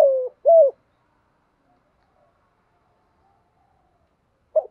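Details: Spotted dove call for stirring up fights and training decoy birds: two hollow, mid-pitched coos, the first sliding downward, then quiet and a short clipped note at the end.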